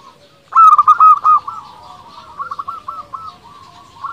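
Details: Energetic local zebra dove song meant to stir rival doves into answering: a loud opening cluster of about six rapid coos, followed by a softer, drawn-out series of fluttering notes.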